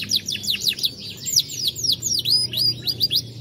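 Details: A gold Lizard canary of Dutch stock, recorded in 2020, sings a quick series of sharply downslurred high notes repeated about twice a second. Short rattles and a thin sustained whistle are woven in.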